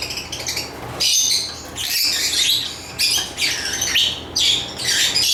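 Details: Shrill buzzy lovebird chirps arriving in bursts about every second, loud and raspy, with overlapping squeaks between them.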